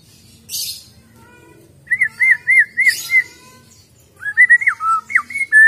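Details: Wild-caught white-rumped shama giving a short burst of four looping, wavering whistles, then a brief pause and a varied run of rising and falling whistled notes, with occasional hissy bursts.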